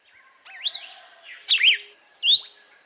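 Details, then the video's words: Red-cowled cardinal giving açoite song for training birds: three whistled phrases, a warbled rising-falling note, a doubled downslur and a final bright upsweep. "GALO DE CAMPINA Canto AÇOITE para ESQUENTAR e TREINAR"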